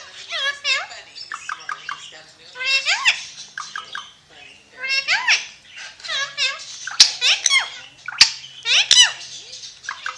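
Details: Pakistani ringneck parrot, an Alexandrine parakeet, keeps up a long string of chattering word-like phrases in bursts, with pitch swooping up and down and a few sharp clicks near the end.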